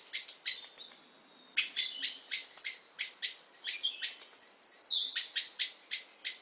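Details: A Common Blackbird gives its alarm call: a rapid series of sharp, metallic chinks about three per second, mixed with a few thin, high whistled notes.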